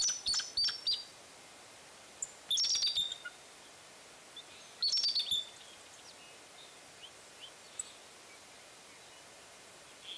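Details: Bald eagle at Fraser Point on 23 March 2019, afternoon: high, thin, chittering call bursts at the start, near 2.5 seconds and near 5 seconds, separated by quiet with light background hiss.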